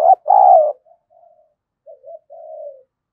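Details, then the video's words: Decoy spotted dove cooing in its 'thúc, gù, gáy gọi' repertoire. A sharp clipped note opens into a loud, rough, falling coo. Soft faint murmurs follow, then a low wavering coo, on a silent background. "Chim Cu Mồi với giọng gáy đủ bài như : Thúc + Gù + gáy Gọi"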